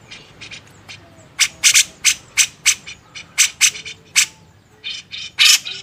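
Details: Grey-cheeked bulbul, from a training master recording for songbirds, style tagged beset ngepik: a long run of rasping, noisy bursts, about a dozen loud ones, spaced irregularly with short gaps and quieter chatter between.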